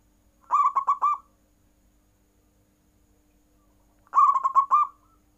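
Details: Caged zebra dove singing full to get rival birds calling: two identical bursts of stuttering coo notes about three seconds apart, with quiet in between.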